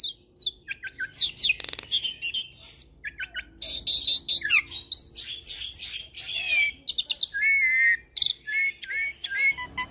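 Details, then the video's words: Steadily singing black-collared starling mixed with Nias myna and hybrid song: continuous jumble of harsh chatter and rattles, then a run of clear repeated whistled slurs near the end. "Masteran Jalak Suren dan Jalak Nias Dengan Kicauan Jalak Hybrid Nias X Suren Gacor Isian Unik"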